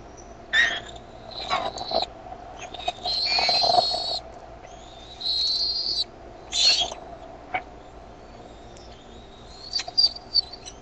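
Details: Bald eagle young at the Decorah nest in the evening of 13 May 2015 grow noisy once their mother brings food; high piping whistles and harsh chittering bursts, interspersed with clicks and thumps, against a steady hum.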